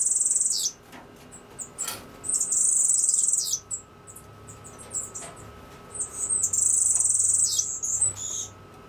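Cuban grassquit giving high, thin, buzzy trills, each a second or so long, repeated after short pauses, with a faint steady hum underneath.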